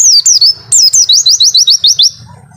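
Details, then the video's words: White-eye (pleci) singing its long 'wit-witttt' song: high falling whistles followed by a fast, even run of about eight rising chirps that fades out. "burung pleci wit-witttt panjang"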